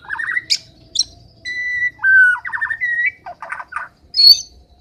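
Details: White-rumped shama singing vigorously: a rapid mix of clear whistles, fast rattling trills and buzzy rising notes, with short pauses between phrases and a sharp high note near the end.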